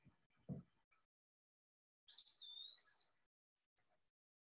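An Eastern Wood-Pewee gives one clear, high whistled phrase, about a second long, slurring upward then leveling off, like 'pee-a-wee'. A brief voice and soft thumps come first.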